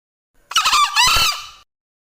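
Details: Male Green junglefowl gives a brief raspy crow in two parts, a broken rattling start followed by a drawn-out hoarse note lasting about half a second, with silence around it.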